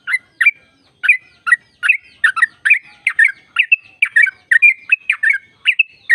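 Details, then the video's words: Sooty-headed bulbul in long rapid song, the type used to prompt kept birds of its kind to sing. Chattering, bubbly notes repeat about three per second, mixed with short bright whistles, against a silent background. "Jadikan burung trucuk gacor trucukan gacor tempur ropel panjang"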